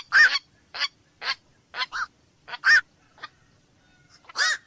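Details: Short, gruff barking croaks of a black-crowned night heron, repeated roughly every half second, some notes paired, with a louder call near the end.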